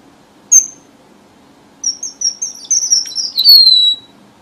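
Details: A single sharp high chip from a red avadavat, then a quickening series of thin high whistles ending in a long downward slide. The recording is a southern Vietnamese lure song for trapping, over a soft low hum.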